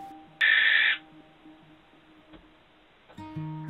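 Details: At night in January, a young female Barn Owl answers a young male courting her from a tower for the first time. She gives a single harsh, hissing screech of about half a second over soft background music, with guitar near the end.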